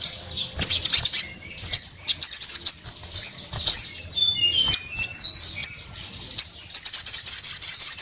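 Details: Orange-headed thrush in breeding condition singing loudly with open beak, prompting other orange-headed thrushes to sing: a dense, rapid stream of high chirps and trills with brief lower whistled slurs, almost continuous throughout.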